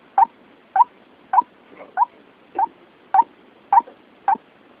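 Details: White-breasted waterhen lure call used for trapping: short, sharp, slightly hooked notes repeated steadily about every half second, nine in under five seconds, over a faint hiss.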